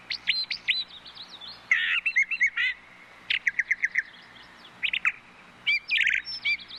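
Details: Brown thrushes in busy song: dense, overlapping chirps, twitters and buzzy bursts run almost without pause, some phrases repeating fast, over a faint low hum.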